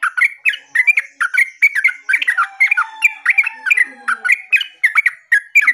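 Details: Yellow-vented bulbul singing vigorously: a continuous rapid stream of liquid, bubbling notes in short slurred pairs, varied in pitch and evenly paced, with a faint low whistle underneath.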